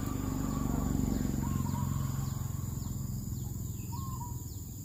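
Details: A pair of zebra doves perched on a rotting oil palm trunk give short, soft, warbled coos with a quavering end, two clear phrases about two and a half seconds apart, over steady low rumbling noise and repeated thin high chirps from another caller.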